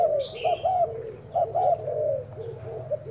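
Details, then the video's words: Decoy spotted dove trying out its coo: a few arched, mid-pitched notes with drawn-out softer tails, and faint higher chirping from other birds. "Mồi trần thái gù thử"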